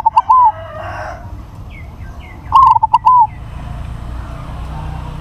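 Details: Two mellow, bubbling coo phrases from a crossbred, big-voiced zebra dove, each of quick clipped notes ending in a longer rolling coo, about two seconds apart, over faint background hiss.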